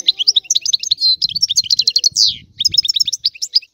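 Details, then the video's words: Sicilian European goldfinch singing a rare old-style song, recorded very clearly: dense, fast twittering of high, sharp notes with a few buzzy slurred phrases, nearly continuous for almost four seconds, with a brief pause midway. "Canto del Cardellino | Richiamo | miglior canzone | stimolare cardellino"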